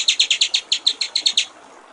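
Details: White-rumped shama master song with clear 'gericik air' trickling delivery: about twelve crisp, evenly spaced high notes in a quick run of a second and a half, then quiet.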